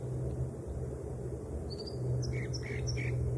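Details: A few high whistled notes and short slurred chirps from a singing American dipper, heard above steady low rumbling noise.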